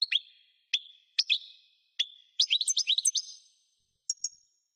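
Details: European goldfinch giving separate sharp chirps with short ringing tails, then a quick bout of tinkling twitters and two thin high notes at the end.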